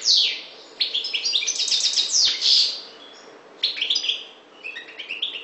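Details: European goldfinch, subspecies parva from the Maghreb, giving an opening high note, then bursts of fast jingling twitters and trills with quiet gaps between phrases.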